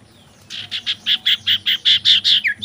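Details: Common iora, described as a female singing in mating mode and used as a lure: a rapid series of about eleven sharp, bright chirps repeated roughly five times per second, growing louder, over a faint low hum.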